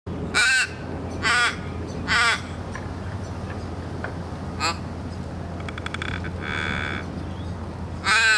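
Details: Australian raven in Melbourne, Australia: loud harsh drawn-out caws with rich harmonics, about four calls spaced roughly a second apart then a pause, a final caw at the end, plus softer rasping notes and a low steady hum.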